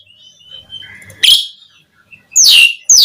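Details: Asian pied starling (jalak suren) song used as a lure to provoke other starlings into singing: a thin whistle, then loud harsh downslurred bursts.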